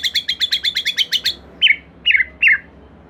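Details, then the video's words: Murai batu lure song for prompting another shama: a quick series of about ten sharp even chirps, followed by three louder falling whistled notes spaced apart, over a soft background hiss. "Silahkan Coba Video Pancingan Murai Batu Gacor Ini, Murai Bahan Pasti Bunyi || Voice of Murai Batu"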